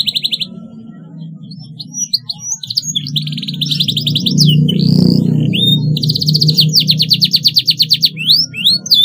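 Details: Canary song offered as a tutor sound for young canaries learning to sing: rapid buzzy trills in bursts, with sweeping whistled notes between them, over a steady low droning hum in the background.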